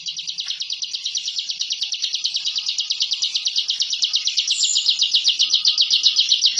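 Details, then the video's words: Bar-winged prinia (ciblek) delivering its rapid 'ngebren' song, a style used to intimidate rivals and to train captive birds: a dense, buzzy high trill of fast repeated notes, growing slightly louder toward the end. "Suara Masteran Burung Ciblek Ngebren & Rapat Abis"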